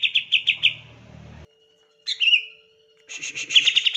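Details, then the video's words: Caged green leafbird in rapid 'tembakan' song to trigger other leafbirds: a quick string of high pulsed notes, a pause, a slurred descending phrase, then another fast pulsing burst, with a faint steady hum behind. "PANCINGAN TEMBAKAN CUCAK IJO"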